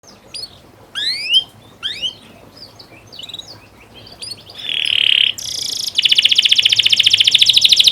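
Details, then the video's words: Canary song used as a training recording to get young canaries singing well: scattered rising whistles and short sweeps at first, then a loud steady buzzy note and a fast pulsed trill at the end. "Masteran burung kenari paud biar gacor"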